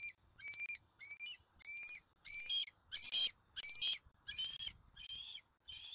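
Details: Bald eagles at a nest in Southwest Florida, filmed on 13 January 2024 during an eaglet's dinner. A regular series of short, high, harmonic squeaky notes repeats about every two-thirds of a second, with slight variation in pitch.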